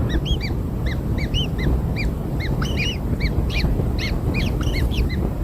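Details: Freshly hatched kingfisher young being fed black insects keep up a busy stream of short arched chirps from several chicks, steady throughout, with low rumbling noise beneath.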